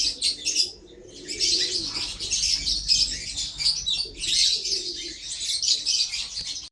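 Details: Lovebirds chattering in a steady stream of shrill, scratchy high chirps, broken by a brief lull near the start, then resuming as overlapping twittering throughout.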